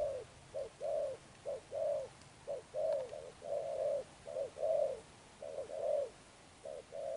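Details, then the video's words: Spotted dove, caught from the wild, cooing in the 'Thúc Đồng Pha Sấm' manner. A steady run of low hollow coos in short-long pairs, some notes running together, against a soft hissy background. "Thúc Đồng Pha Sấm, Gù Âm Sấm Thổ"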